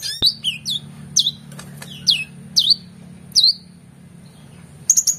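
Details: Oriental magpie-robin tutor song for competition birds: a series of clear, down-slurred whistled notes spaced about half a second to a second apart, ending with a quick high trill, over faint low hum.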